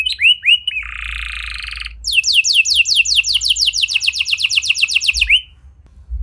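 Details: Canary song with a unique style, played to coax silent canaries into answering: opening slurred whistles, a sustained buzzing roll, then a long fast train of down-slurred notes that ends abruptly.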